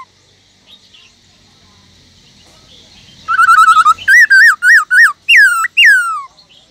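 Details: Black-throated laughingthrush in a cage singing: quiet background, then a fast buzzy trill followed by a series of loud wavering whistled notes and two long descending slurred whistles.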